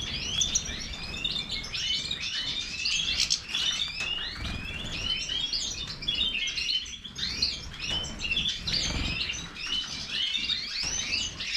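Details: European goldfinch, Major form, delivering a dense stream of high twittering notes and sweeping chirps, steady in volume throughout.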